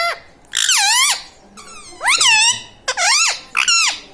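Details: Pet talking parrot in a room, said to say mummy, papa and radhe radhe; four loud harmonic utterances, each rising then sagging, spaced about a second apart, separated by quiet gaps.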